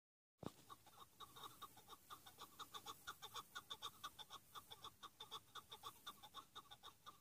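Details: Chukar partridge in a rapid, steady run of clipped, chuckling notes, about two per second, each note hard-edged and ringing, sustained without a break through the whole stretch against a quiet background.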